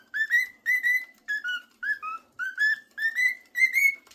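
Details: Two pet cockatiels whistle, first one and then the second, then sing together: clear, rich notes in quick phrases, some gliding upward and some stepping down.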